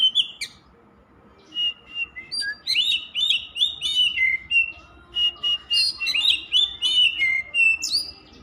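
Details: Oriental magpie-robin delivering energetic, unbroken song after a short opening pause, with rich whistled phrases, rising and falling slurs and crisp high chips repeated nearly three times a second.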